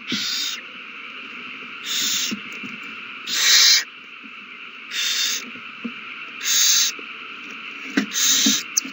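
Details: Owls at the nest in a prey frenzy after a mouse is found and handed over, 21 March 2020: harsh, breathy hissing bursts of about half a second, repeated irregularly roughly every one to two seconds over a steady hiss.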